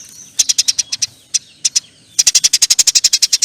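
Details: Eurasian tree sparrow singing its long nyerecet chatter: a handful of sharp high chirps, a brief pause, then a steady, fast volley of loud repeated chirps.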